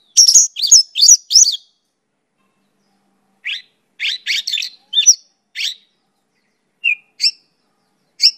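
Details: Mongolian lark song: three quick bursts of high, sharp chirps, a pause of nearly two seconds, then scattered clipped notes and short downslurred chirps at irregular intervals against a silent background.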